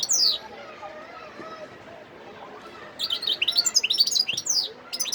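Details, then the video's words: Wild European goldfinch recorded in Sidi Bel Abbes on 17 December 2021. A short burst of high twittering notes is followed by a quiet gap, then a run of rapid, bright, sliding chirps and trills, with a faint low background murmur. "متع نفسك مع مقنين خلوي صوت ولا أروع"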